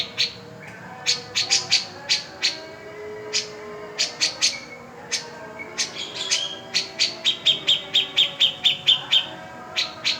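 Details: Lively cica jenggot song meant to prompt quiet birds into singing: crisp high chirps repeated in clusters, then a fast even run of sharp notes, with a little softer warbling between phrases.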